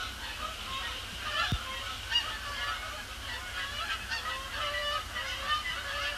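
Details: Canada Geese circling before landing on Sapsucker Woods Pond, Cornell Lab of Ornithology, on an overcast Thursday evening after sunset, 12 October 2017; a continuous overlapping chorus of nasal honks from many birds.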